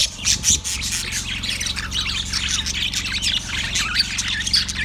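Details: Yellow budgie recorded February 18, 2024, chirping: a dense, busy stream of scratchy chirps and squawky warbles running without pause, over a steady low mechanical hum.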